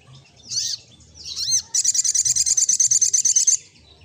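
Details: An olive-backed sunbird sings gacor ngleper style: two swooping high notes, then a fast, even trill of about twenty shrill notes lasting nearly two seconds.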